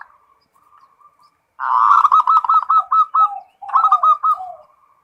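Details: Zebra dove, local perkutut, singing full ngerot to heighten breeding arousal: faint soft coos give way to a long loud stuttering series of rapid throaty notes, broken once and resumed.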